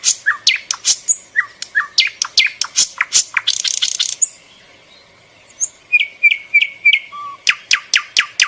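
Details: Bird calling in rapid, irregular high chirps and sweeping notes, broken by a rattling buzz and a short pause, then resuming with whistled rising notes and sharp clicks.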